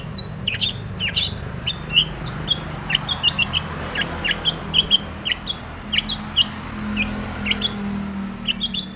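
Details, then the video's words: Long-tailed shrike in full mimicry-filled song including tomiceng phrases, meant to make other shrikes sing. Scattered sharp high chips and short whistled notes tumble irregularly over a steady low hum. "SUARA cendet gacor full isian TOMICENG pancingan cendet agar bunyi"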